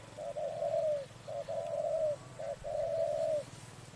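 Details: During trapping, a spotted dove repeats its coo three times: a quick clipped note leading into a longer, smooth, slightly falling hoot, about a second apart, in calm surroundings.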